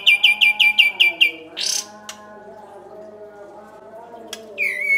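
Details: Kapas tembak song for training other songbirds: six quick repeated sharp notes, then a short high buzzy sweep, a click, a long near-silent pause and another brief sweep, over low background tones.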